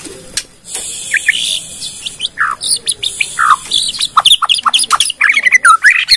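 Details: Bornean white-rumped shama singing, used to lure other shamas to sing: faint high hiss at first, then loud descending whistled notes and a quickening series of sharp chirps and trills toward the end.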